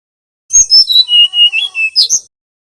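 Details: Bali brown-chested jungle flycatcher singing nyiul style, a lure so young birds learn: a string of about eight clear whistled notes stepping downward, then a sharp chirp at the end.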